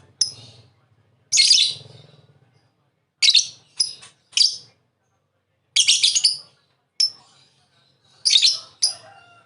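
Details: Lovebird used to prompt another to call gives scattered harsh, high squawks and chirps at uneven intervals, some doubled, with low hum in the background.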